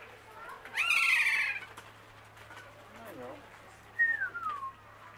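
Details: Kea (Nestor notabilis) in Zlín zoo: a loud raspy 'kee-aaa' screech of close to a second, a few softer wavering notes, then a clear whistle gliding downward. A faint steady hum sits underneath.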